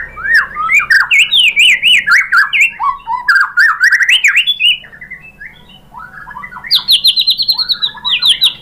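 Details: White-rumped shama pancingan song for prompting other shamas to answer: dense, continuous chopped whistles and slurs, a quieter middle stretch, then a burst of high, rapidly repeated notes.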